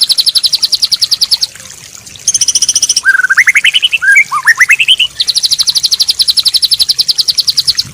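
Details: White-rumped shama song for coaxing a stressed, silent bird to sing: a fast high trill, a lower run of rising warbled notes, then a long, rapid, even high-pitched trill.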